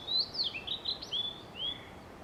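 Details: Blue-and-white flycatcher singing close by, recorded 2 June 2020: a rapid run of sweet, high whistles and short slurred notes across two seconds, closing with a drawn-out falling whistle over quiet outdoor background.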